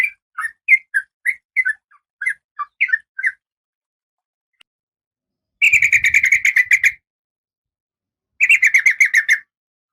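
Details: Female oriental magpie-robin in breeding condition calling to the male. Spaced, slurred chirps come first, then silence, then two harsh, rapid rattling bursts of about a second each.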